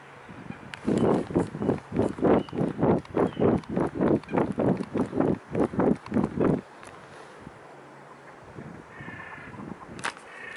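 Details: Mute swans at Carolasee at 7:53 on 15 January 2017. About fourteen deep, throbbing whooshes pulse steadily, roughly two every second, for about six seconds, then give way to quiet background hiss with a few faint knocks.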